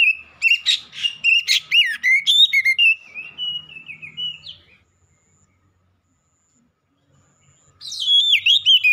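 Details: Loud song of a black-breasted oriental magpie-robin: rapid, rich whistled notes mixed with sharp chips, fading into a sustained whistle, a three-second silence, then another burst of quick varied whistles.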